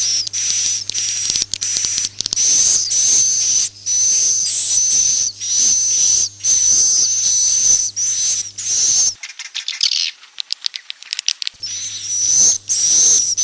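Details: Swiftlet roosting call played to lure swiftlets into nest houses: dense buzzy, hissing bursts with a thin high whistle running through, repeated about every half second, a brief break of noise near the end, then resuming, with faint low hum.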